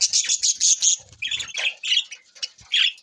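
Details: Budgerigars recorded on June 20, 2024, giving high, harsh squawky chirps: a rapid chattering burst in the first second, then separate scratchy squawks roughly every half second, with no other clear sounds.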